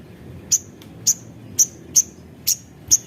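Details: Javan cochoa singing actively, used as a lure to stimulate other birds to sing: sharp, very high single chips repeated roughly every half second over a quiet background.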